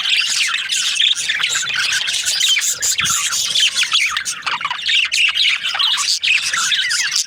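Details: Happy budgerigars chirping during breeding season: a busy wall of shrill twittering and short squawky notes from many birds at once, steady and unbroken throughout.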